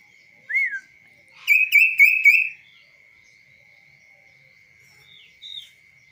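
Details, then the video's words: Tame, hand-trained kaso-kaso bird singing while perched on a hand, out of its cage: a rising whistle, then a quick burst of four bright, buzzy chirps, followed by soft high notes, over a steady high background tone. "BURUNG KASO KASO GACOR DI TANGAN TANPA SANGKAR"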